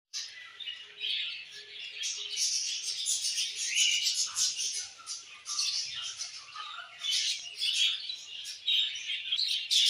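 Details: Several budgerigars on a summer evening keep up dense, continuous warbling chatter, with high scratchy chirps, squeaks and trills overlapping for the full ten seconds.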